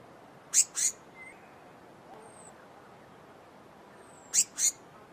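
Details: Blue-mantled crested flycatcher giving two pairs of quick, scratchy, very high notes about four seconds apart, with faint thin whistles from other birds in between against a soft background hiss.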